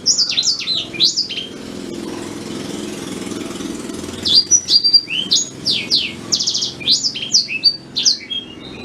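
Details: Natural song of a black-throated canary, used as a tutor for white-rumped shamas. A quick run of high, zigzagging notes, a pause over a low engine-like hum, then a longer flurry of buzzy trills and sweeping whistles.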